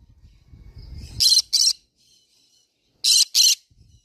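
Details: Green-cheeked conure producing two doubled bursts of harsh, high screeching about two seconds apart, preceded by a low background rumble.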